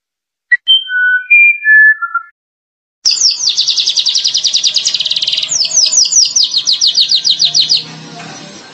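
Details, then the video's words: Streaked weaver: after a few clear falling whistled notes, a fast run of sharp, high, buzzy chattering notes repeated about two and a half per second for roughly five seconds, then fading. "SUARA BURUNG MANYAR KEMBANG"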